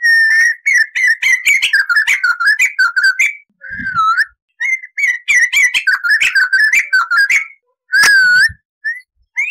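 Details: Crested laughingthrush tutor song, clear and full of long rolls: rapid bursts of chattering, whistled notes in varied short phrases, brief pauses between runs, and a loud looping whistle near the end.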